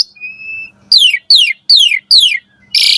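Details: Asian pied starling's morning song, used to train caged birds: a thin, level whistle followed by four loud, descending slurred notes about every 0.4 seconds, ending with a harsh noisy burst over a faint low hum.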